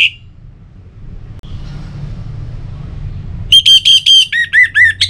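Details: North Bali orange-headed thrush, sung as a lure for other birds: low hum, then a loud run of steady high whistles dropping to a lower series of pulsed, slurred notes.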